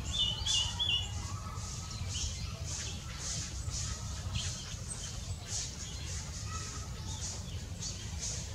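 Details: Red-billed leiothrix (Leiothrix lutea), recorded 7 December 2019, gives short, high chirping notes about three times a second, over a steady low rumble of wind or distant noise.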